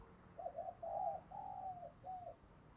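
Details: Decoy spotted dove calling to attract wild birds: a hollow phrase of a few low coos, a longer rolling note and a brief final coo, set against steady low background hum.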